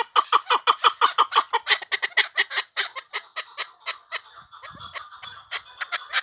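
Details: Chukar partridge used for hunting with a rapid, regular volley of hard chuck notes, about three per second, slowing and fading midway before loud notes resume.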